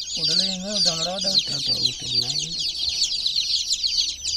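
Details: Chicken chicks in a water pool keep up a shrill overlapping peeping while a human voice talks clearly over the first half.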